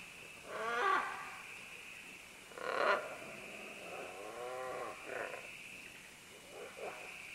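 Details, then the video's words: Group of green-winged macaws calling while descending vines: two loud raspy squawks about two seconds apart, followed by quieter, wavering grating calls and short harsh notes toward the end. "Green-Winged Macaw. MCU - MD Calls From Several As They Descend Along Vines To"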